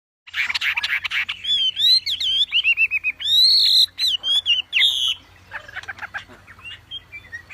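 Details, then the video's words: Wambi song, loud and busy: harsh chattering bursts, then a run of rising and falling whistled notes, some held and slurred, ending in softer chips. "SUARA KICAU WAMBI GACOR"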